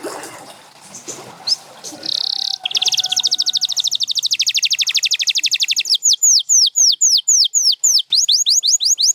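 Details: Canary singing after some faint background noise: a sustained high buzz, then a long rapid rattling trill, then a series of quick falling whistles.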